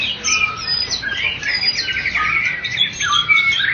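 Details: White-rumped shama (murai batu) of Medan and Java types, first-place bird-contest winners, singing a dense, rapid, unbroken stream of varied high whistles, short up- and down-slurred phrases, trills and chattering notes.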